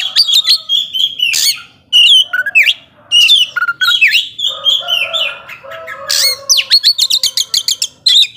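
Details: Oriental magpie-robin in full ngobra-style song, used to provoke slow-tempered rival magpie-robins: loud, varied whistled phrases sliding up and down, mixed with harsh chatters and a closing run of rapid, sharp, repeated ticks.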